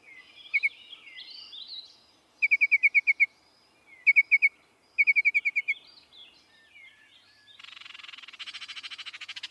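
Baltimore Oriole: quick bursts of six or seven clear, bright notes repeated over soft background warbling, ending in a dry, buzzy chatter.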